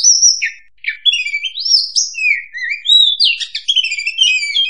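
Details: Oriental magpie-robin (kacer) song used as a trapping lure (suara pikat): clear, sliding whistles rising and falling in varied phrases, with brief pauses and no other sounds.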